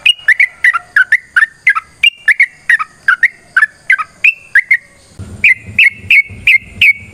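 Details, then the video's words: Sooty-headed bulbul singing a long, vigorous fighting song: quick repeated whistled notes, each a short rising-falling slur, near three per second, then a steadier series of identical higher notes over a low rumble. "TRUCUKAN GACOR TARUNG ROPEL PANJANG Pancingan trucukan Agar Bunyi Jadikan Burung Trucuk Gacor Nyaut"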